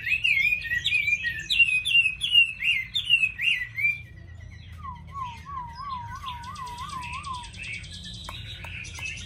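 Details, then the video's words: Caged Chinese hwamei singing a string of rapid, repeated looping whistles, then a lower wavering trill of evenly spaced slurred notes, followed by softer scattered notes and light background noise. "Mi thuần hót tốt mau mỏ đẹp"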